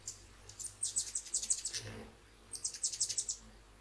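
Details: Hummingbirds visiting at sunrise, early morning, give quick runs of very high, thin chips in two bursts of about a second each, over a faint low hum.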